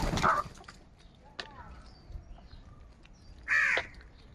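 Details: A crow among many, in the morning, squabbling over food, gives a loud, rasping caw, then quiet thin tones and clicks follow before a second harsh caw about three seconds later.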